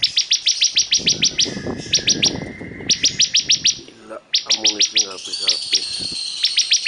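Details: Bar-winged prinia, noted as super vocal, delivering long runs of sharp, high repeated chips at a quick, steady pace, with short breaks and some lower murmuring sounds in the background.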